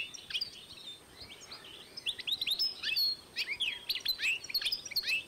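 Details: Goldfinch x canary hybrid, 2012, starting softly and building into lively high twittering, quick chirps and slurred notes repeated in rapid succession.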